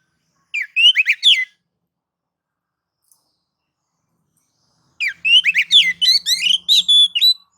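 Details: White-rumped shama singing to provoke rival shamas: a short phrase of several warbled whistles, a pause of about three seconds, then a longer, faster series of varied slurred and sharp notes with a faint low hum.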